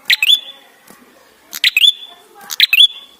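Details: Lure recording of an ashy tailorbird in persistent song: three phrases, each a dry click cluster and then a thin, high whistle that flicks upward and holds, spaced about a second apart over a quiet background.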